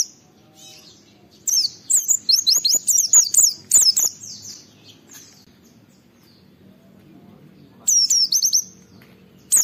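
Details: Oriental white-eye (pleci) singing in a lively, challenging manner meant to set other white-eyes singing; a long rapid string of high descending whistled notes, a quiet gap, then a second shorter burst.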